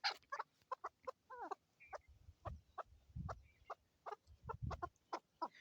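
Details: Male and female chukar in Swat, Pakistan, 2022: quick clucking notes and a few descending chevron chuks, with one short whistled note. Human voices and laughter break in several times.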